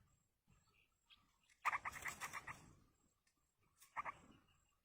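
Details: Wild yellow-vented bulbul nestlings beg while a parent feeds them: a loud pulsed chattering rattle lasting about a second, a shorter burst after a brief gap, with soft scattered notes before.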